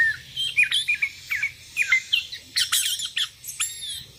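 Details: Sooty-headed bulbul calling against rivals, wild bulbuls responding: quick chattering whistled notes in short bursts, getting harsher and more squawking toward the end.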